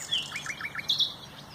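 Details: Brief nightingale phrase recorded 30 April 2021: a high whistle followed by four evenly spaced, rising chirped notes and a closing bright note.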